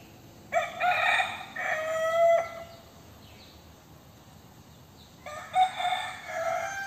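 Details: Two crows from a young rooster, each about two seconds long with several strong harmonic bands, a drawn-out middle and a dropping finish. The second crow is cut off, and the gap between them is quiet.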